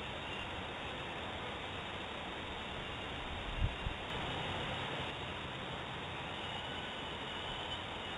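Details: Even hiss of background noise with one soft low thump midway; no animal voice is heard.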